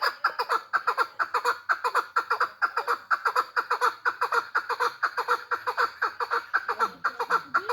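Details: Hybrid chukar partridge kept captive in Tajikistan, calling loudly and continuously with rough, nasal chuk notes repeated at a brisk, regular pace of about two per second, with a faint low sound near the end.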